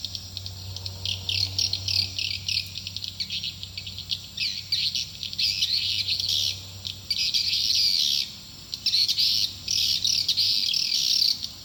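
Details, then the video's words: Swiftlet attraction call for a nest building: busy, high-pitched twittering that thins and swells in waves, with a short quiet gap near the end and a low hum early on. "Suara panggill burung walaet"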